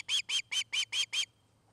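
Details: Osprey at the Charlo, Montana nest, afternoon of August 29, 2018, on a nest cam: six loud, piercing whistled chirps in quick, even succession, then silence apart from a faint low hum.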